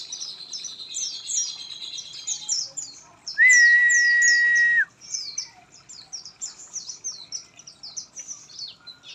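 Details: Oriental white-eye song after misting: long run of quick, high, slurred chirps, interrupted midway by a steady, loud whistle-like tone lasting about a second and a half.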